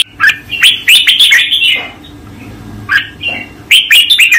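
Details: Master song of a red-whiskered bulbul for training: bright rolling warbled phrases in quick succession, a short pause, then more clear whistled notes, with a faint low hum in the background.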